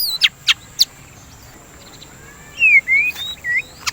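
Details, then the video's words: White-rumped shama song played to stimulate singing: a few sharp high clicks, then a pause, then clear slurred whistles falling and rising, ending with a short whistle and more sharp notes, over a faint steady hum. "Pancingan Suara Burung dan terapi murai batu biar tidak birahi"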